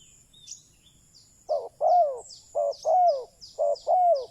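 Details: Decoy spotted dove luring wild doves with paired low coos, a short note then a longer falling one, repeated three times, over a backdrop of high small-bird chirps.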